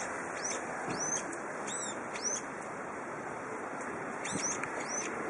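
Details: Brown-eared bulbul calling on a windy spring day: a scattering of short, high, arched whistled notes, some paired, repeated irregularly over a steady rush of wind.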